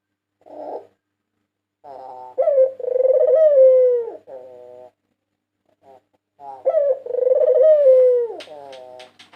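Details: White Barbary dove, 2022 national champion, giving two drawn-out rolling coos a few seconds apart, each swelling then descending, with brief soft notes before them and a few sharp clicks at the end.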